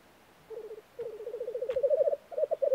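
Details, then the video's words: A Black grouse at a spring lek in Norway gives a low, bubbling coo of rapid pulses: a short burst, then a longer rolling phrase that swells and rises slightly. "Black grouse - sound of spring"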